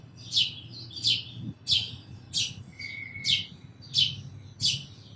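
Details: Sparrow chirps repeated steadily, about one every 0.7 seconds: short, bright, downward-sliding notes, with a brief thin whistle from another bird.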